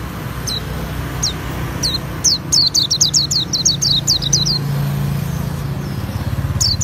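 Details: Oriental white-eye (pleci auri) song in ngriwik style: a few spaced high chirps that speed into a rapid chattering series of steep, downslurred notes, over a continuous motor rumble.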